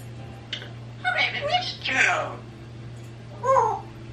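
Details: Parrots left alone indoors, a 26-year-old African grey and a 16-year-old Quaker parrot, mimicking speech: a few short human-like spoken phrases with squeaky edges, over a steady low electrical hum.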